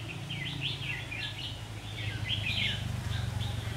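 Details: Red-whiskered bulbul at a trap on 27 September 2019 during a fight; a rapid string of chirpy warbled notes running almost continuously, partly masked by loud low rumbling noise.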